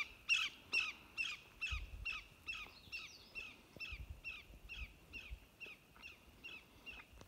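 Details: A Greater Yellowlegs in flight gives its alarm call, a long series of ringing, down-slurred whistled notes, about two per second, fading as the bird moves off, with light wind rumble underneath.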